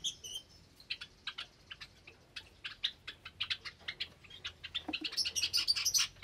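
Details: Caged Java sparrows with new chicks, Sunday morning, 8 May 2022; a steady string of short, high chirps about four per second builds into louder, overlapping squeaky chatter at the close.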